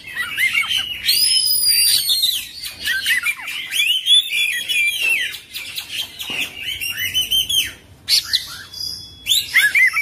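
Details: Oriental magpie-robin, called kacer, in a long full isian, ngerol song: nonstop loud whistles, chattering rattles and high piercing slurs with brief pauses, including one steady held whistle near the end.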